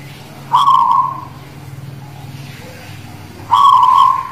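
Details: Perkutut (zebra dove) of the guling Murio strain singing ('manggung'), Demak: two level, trilled coo phrases three seconds apart, each dropping away gently, over faint low background noise.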